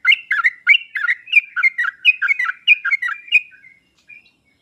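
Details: Sooty-headed bulbul song meant as a lure and master to draw an answer from a lazy bulbul: quick, cheerful, bubbling phrases of paired notes for about three and a half seconds, trailing off into a few soft notes.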